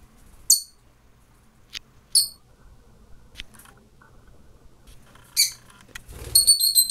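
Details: A female rosy-faced lovebird begs the male for more food while he courts her by feeding her regurgitated food like a chick: a few brief, high squeaky chirps spaced a second or more apart, then a quick run of chirps, with faint indoor clicks.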